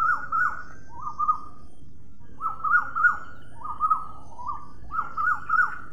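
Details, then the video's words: Parrot giving clear, nasal double-noted squawks in quick pairs, roughly one pair per second with short pauses between, over a quiet low background hum. "Parrot. Video and sound."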